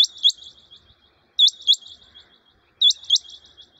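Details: Quail in the jungle, recorded 6/1/2021, giving a loud, high-pitched double chirp with a short buzzy trailing flutter. The phrase repeats three times at roughly one-and-a-half-second intervals against a quiet background.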